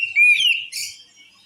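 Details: Oriental magpie-robin song said to make other magpie-robins furious: a short clear whistle that dips slightly and slides down, followed by a brief buzzy, scratchy burst, then quiet.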